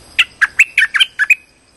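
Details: Brisk streak-eared bulbul trapping lure call: seven chirps delivered quickly in about one second, mixing upslurred and downslurred notes.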